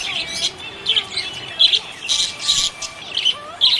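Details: Cheerful budgie chattering: bright, clipped chirps and squeaky notes in uneven bursts, some thin whistles sliding in between, lively and close.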